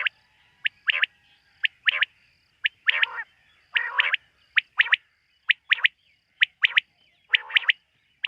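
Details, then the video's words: Common quail calling at night: sharp, clipped notes, often a single note followed by a quick pair, repeated roughly once a second, with a few lower, rougher buzzy notes mixed in against a quiet background. "Bater ki rat wali awaz ۔۔quail sound of night"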